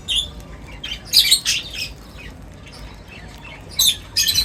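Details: Several birds at feeding time, close up, uttering short bright chirps and squawks in scattered clusters separated by brief quiet gaps, over faint background hiss.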